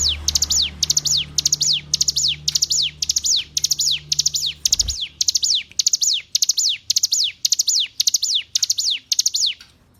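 Hill Prinia song: quick bursts of three or four high, sharply falling chirps, repeated about twice a second, over a faint low hum.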